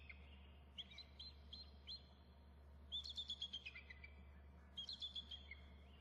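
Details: At the nest an adult eagle flaps and calls, the mate calling too and a third eagle audible; short high chirps build into rapid stuttered chatter series, two loud bursts about two seconds apart, steady low hum behind.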